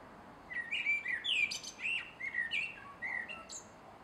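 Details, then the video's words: Male common blackbird in full dusk song from a garden, 3 July 2016: a continuous run of varied fluty, warbling notes rising and falling, broken by a few thin high squeaks near the end. "Male Blackbird Singing at Dusk"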